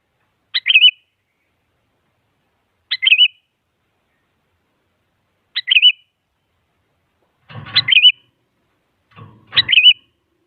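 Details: Sooty-headed bulbul singing to provoke a rival so that a silent bird starts singing: five short bright warbled phrases, each a sharp upward note followed by a quick wavering twist, repeated about every two to three seconds, with soft low rustling under the last two.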